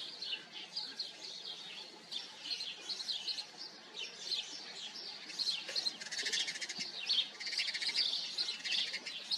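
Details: House sparrows calling in a colony, dense twittering chirps from many birds, growing busier and louder in the second half with some scratchy rustling noises.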